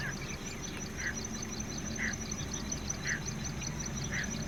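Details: A male greater painted-snipe on his own territory at Da-an seashore, Taiwan, 6 April 2016, gives warning hoots, about one per second, low and mellow, over rumbling noise and a steady high insect trill.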